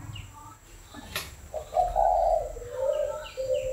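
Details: Spotted dove giving low, hollow coos, a long steady note followed by a shorter dipping phrase, with faint high chirps from other small birds in the background.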